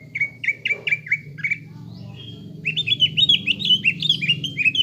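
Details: Lure song of a caged greater green leafbird, used to make birds emotional and fighter-minded: loud repeated whistled chips with falling tails, a brief pause, then a quicker chattering series of rising notes over faint low hum.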